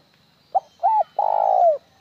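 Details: Spotted dove giving a plain coo: one quick note, one arched note, then a long trembling coo ending in a downward slide.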